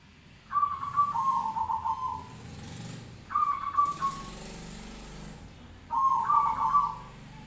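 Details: Three zebra dove coos answer one another at intervals of roughly three seconds. Each begins with a sharp note and then rolls into a trilled, gently descending phrase, over a noisy, hissing background.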